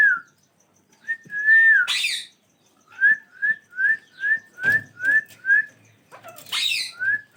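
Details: Two ringneck parrots: a sliding whistle, a harsh broad squawk, then a steady series of about eight short upward-flicking whistles in a row, followed by another squawk and a final whistle.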